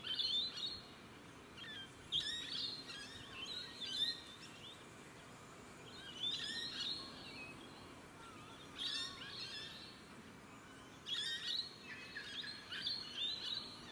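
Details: Australian rainbow lorikeets calling in the evening, captured with a 4K handycam; harsh screeching bursts every two to three seconds against constant environmental noise.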